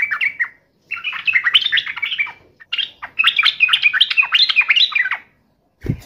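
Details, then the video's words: Yellow-vented bulbul in lively full song, taunting a rival: three bursts of bubbly, chattering warbled notes with short gaps, ending with a low thump. "trucukan gacor MENGEJEK LAWAN"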